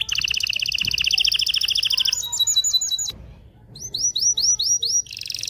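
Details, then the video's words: Canary song, said to stimulate males and excite females ready for mating: loud, high rolling trills of rapid pulsed notes, switching abruptly between several trill types, with a brief pause before faster upswept notes and a final buzzy trill. "تغريد طائر الكناري هائج , لتجهيز الاناث و الذكور للتزاوج والغناء"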